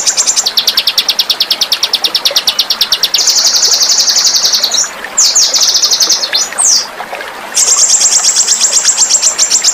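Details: Small songbird delivering a sharp, spicy training song for pet birds: fast high-pitched trills of evenly repeated notes, switching to dense buzzy phrases, then short swooping notes and a return to rapid trilling.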